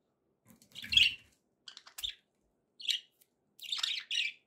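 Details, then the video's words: Happy budgerigars calling: short harsh chirps and scratchy warbled notes in separate bursts, with a soft low thump near the start. "happy budgie sounds"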